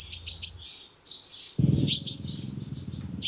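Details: Sunbird call used as a lure for a loudspeaker bird trap: a few quick high chirps, then thin high whistled notes over a low rumbling background noise from the middle onward.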